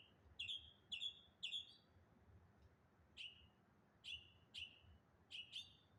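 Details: One bird in the morning making varied noises: three quick sharp chirps, a pause, then spaced single chirps with downward-slurred tails, one every half second or so, over a soft low background hum.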